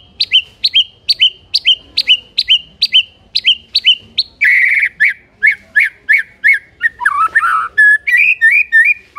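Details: White-rumped shama singing to provoke rival shamas to answer: quick repeated high whistled notes that each fall, then a switch to harsher, buzzy phrases and varied chattering and whistled notes.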